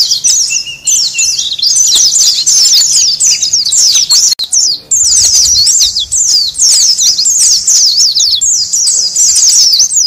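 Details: Oriental white-eye calls used as a noisy lure for wild birds: dense, rapid high chirps and twittering notes, many overlapping, pouring on almost without pause for ten seconds with one brief break near four seconds.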